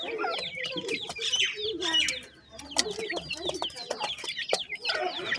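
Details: Several francolin chicks, called dakhni teetar, twitter in dense overlapping peeps and clicks, briefly quieter near the middle before the chirping resumes.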